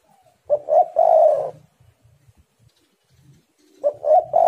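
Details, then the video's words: Spotted dove in lively song, birds sparring vocally: a phrase of quick low hoots ending in a long rolled coo, then quiet with faint low sounds before the next phrase begins. "tekukur super gacor saling memanas"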